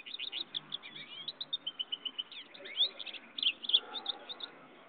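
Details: Goldfinch-canary hybrid songbird delivering a lively, continuous song of rapid high twittering notes, short trills and sliding whistles, with a few louder accented notes near the end.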